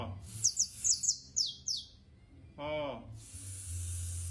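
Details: Competition canary giving a quick series of sharp, descending high notes, followed by a short human voice and then a sustained high rolling trill over a low hum.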